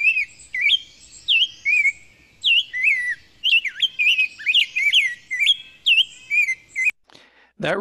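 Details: A rose-breasted grosbeak sings a long run of sweet, looping whistled notes in robin-like phrases, with short pauses, ending in a sharp click.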